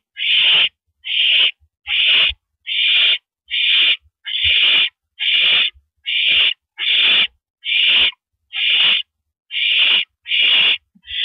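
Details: Porch-perched owl, April 9, 2012, 8:17 PM: a long run of about fourteen harsh, airy screeches, each roughly half a second, evenly repeated every 0.8 seconds, with occasional faint low bumps.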